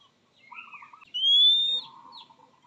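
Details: Oriental magpie-robin calling a rival: one clear, slowly rising whistle under a second long, with soft buzzy rattles before and after.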